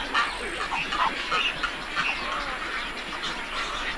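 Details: A flock of egrets at a wetland gives a dense, overlapping chorus of short, harsh, croaking calls that come thick and fast with no clear rhythm.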